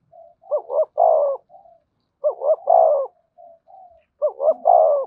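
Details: Spotted dove cooing in "giọng thổ" style, "thúc" and "kèm". Three phrases, each two sharp short notes then a long, full, falling coo. Soft low murmured hums lie between phrases, every two seconds or so.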